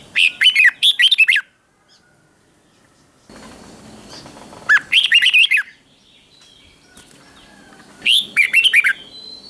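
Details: Red-whiskered bulbul in morning song training, 'ché' style: three bursts of quick, bright warbling notes, each about a second long, come several seconds apart, with a faint hiss between them.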